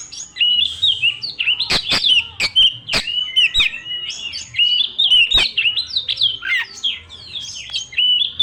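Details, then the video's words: Young forest Oriental magpie-robin belting out a long, insistent lure song rich in mimicked phrases: varied whistles repeated in rolling bursts, with clusters of sharp clicks between them. "PANCINGAN BURUNG KACER MERANGSANG MUDA HUTAN NGEPLONG NGOTOT MUNTAH ISIAN"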